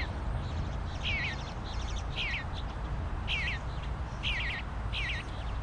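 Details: Bluebird fledgling demanding food, calling while surrounded by plenty of it: a few short, fairly faint chirping notes with quick wavering inflections, spaced irregularly over steady low background rumble.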